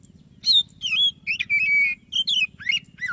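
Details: Energetic white-breasted Oriental magpie-robin song for prompting a silent bird: a string of clear whistled phrases, some wavering, one long flat note, then falling slurs, over a low constant hum.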